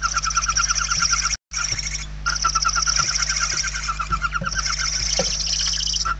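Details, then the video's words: Several hungry barn owl chicks clamour inside their nest in Spain, November 2023. Dense, overlapping raspy pulses and hissing screeches run almost continuously, with a short gap near the start. "Lechuza común - [Interior]- Płomykówki"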